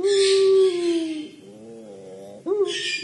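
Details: A crying-style coo from a collared dove known as puter pelung, a long level low tone sinking at its end, a softer wavering phrase, then another sharp rising start, with hissy background noise.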